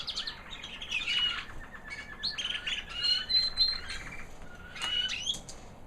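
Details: A 2009 American Singer canary hen, white, singing after the molt: a high, sweet little song of rapid twittering trills and short whistled notes, steady and continuous, with faint background hiss.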